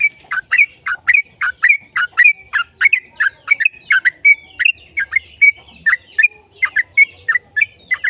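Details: Yellow-vented bulbul in long, rapid continuous song, played as a lure to get other bulbuls singing: a steady run of short, bright chirping notes with dipping slurs, roughly three per second, clear and uninterrupted with no other sounds.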